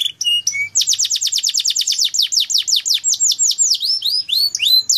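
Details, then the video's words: Canary song used as a lure to get birds singing: a few short whistled notes, then a fast trill of repeated downward-sweeping whistles about five per second, shifting into varied slurred phrases. "Pancingan Burung Kenari Agar Cepat Gacorr"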